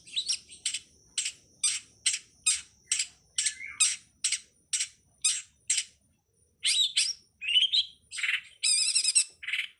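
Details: Cowet song from a master recording for training songbirds: a steady series of bright, sharp, high chirps about twice a second, then a burst of varied buzzy trills and squeaky notes; quiet background.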